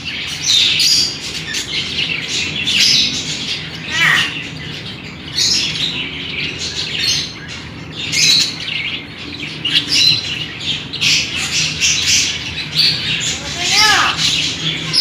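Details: Budgerigar chicks about 14 days old beg with harsh, raspy chattering bursts while being fed by a parent.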